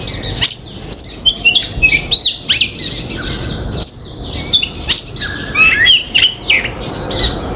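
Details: A Common Myna visiting a backyard garden in India gives a busy jumble of whistles, clicks and harsh squawky notes, mostly high-pitched, several per second with uneven pacing.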